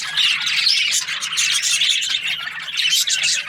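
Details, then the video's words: Australian parrot budgies chirping together, a thick, busy stream of squeaky warbles, clicks and raspy notes from several birds with small swells of louder chatter. "Australian parrot Budgies chirping sounds"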